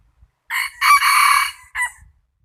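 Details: A domestic rooster's crow, loud and near, in three parts: a brief rising intro, a drawn-out strong harmonic cry, and a short tail note, with near silence around it.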